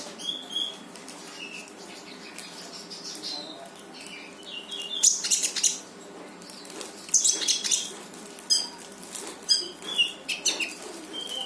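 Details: Konin, the brown-throated sunbird, in lively full song meant to make a reluctant bird answer: long stretch of dense high twittering, piercing chirps and short rising whistles, louder clusters in the second half.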